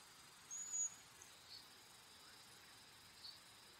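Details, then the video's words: Cedar waxwing calling: a single thin, very high, level whistle lasting under half a second, followed by quiet background hiss and a few faint soft notes. "Cedar waxwing bird call / sound / whistle"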